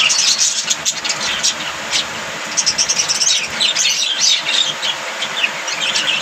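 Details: Busy budgerigar chatter: bright, rapid chirps and scratchy warbles from several birds pour out nonstop over a soft low background hum.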